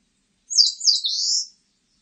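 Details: Eastern crowned warbler song, from a national biological resources collection, 2020: a short high phrase of two quick chirping notes running into a drawn-out buzzy rising trill, about one second long, on a silent background.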